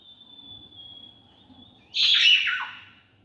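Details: Caged macaw climbing on netting; a single loud harsh squawk breaks out after a thin steady whistled tone and low background hum.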